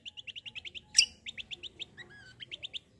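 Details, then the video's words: Black-winged myna in rolling fighting-style song: rapid, evenly spaced chirps repeated about eight times a second, broken by one loud sharp note and a short whistled slur, then resuming. "KECIAL KOMBO CUCAK KOMBO TARUNG NGEROLL GACORR"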